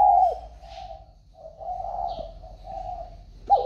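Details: Spotted dove kept in a box after being bought, calling normally: a series of steady, level coos in phrases of about half a second to a second with short gaps, ending in a sharper rising note.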